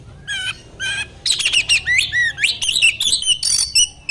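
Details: Oriental magpie-robin song used to provoke a reply from other magpie-robins; a dense run of clear whistles, sweeping slurs and scratchy chatter, loud and continuous after two short opening notes.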